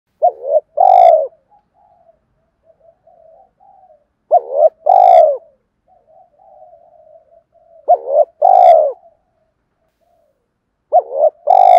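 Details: Spotted dove cooing to call hens and provoke rivals, a daily decoy song: low hollow three-part coos with a stressed middle note, repeated about every three and a half seconds, soft murmuring between phrases.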